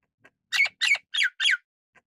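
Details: Golden-crested myna giving four loud, harsh squawks in quick succession, each note raspy and broad with a ringing edge, a faint tick before and after, no other sounds.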